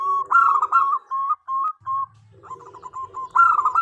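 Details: Female zebra dove calling to the male, a call used as a lure: clipped, whistled coos in quick bursts, then a pause, then a rapid run of short repeated notes ending in a rolling trill.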